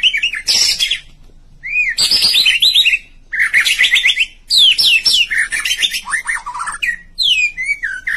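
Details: White-rumped shama chirping in loud, varied bursts: quick rattling series of down-slurred notes, sharp high whistles and trills, phrases of about a second separated by short silences; light hum underneath.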